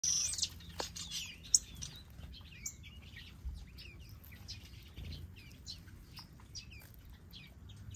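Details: White zebra finch (Taeniopygia guttata) colour variety chattering with quick, high, nasal chirps and short twittering notes over a low hum.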